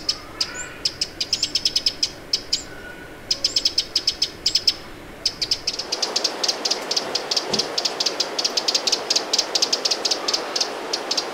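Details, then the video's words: Eurasian wren at Lake Vänern, Sweden, late July 2017, sounding alarm: bursts of sharp ticking clicks that merge into a fast continuous rattle, over a rising rushing background noise. "TROGLODYTE Mignon/Cris/Alarme/Alerte !"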